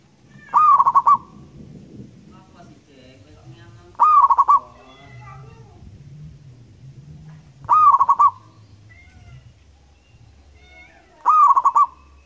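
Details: Loud, long-voiced local zebra dove from Indonesia sings four evenly spaced phrases, each a quick series of pulsed cooing notes, roughly every three and a half seconds over a low background hum.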